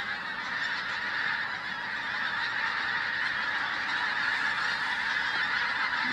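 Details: Massed flight calls of Pink-footed Geese at Flitcham on 5 January 2017, a skein so large it fills the binocular view; many rapid, high honks blend into a constant, busy clamour.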